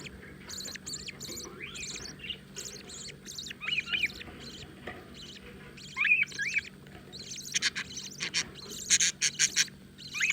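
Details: Newborn budgerigar chicks chirping: scattered high, scratchy cheeps and short falling squeaks, at times bursting into quick rapid clusters of sharp notes, over a faint low hum.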